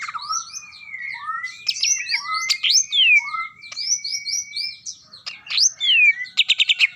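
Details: Greater green leafbird, a champion singer, in 'ngetrok' style: long flowing whistles and rising and falling sweeps weave together, and the phrase ends in a rapid, stuttering burst of clipped notes.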